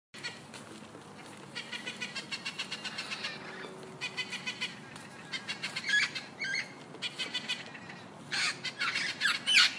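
A parrot gives harsh, raspy squawks and chattering bursts in quick repeated runs, loudest near the end, over a low background hiss.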